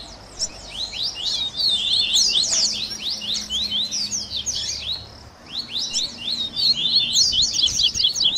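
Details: Double-collared seedeater songs assembled as a training baderna for captive birds, tui tui style with grego, viviti, flauteado and 3ª nota. Lively high twittering bursts, a pause around five seconds, then another rapid chattering run.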